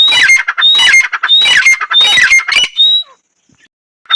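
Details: Female painted francolin calling: harsh, squawky bursts packed with sharp whistled high notes, repeated about every half second for three seconds, then near silence before a final short burst.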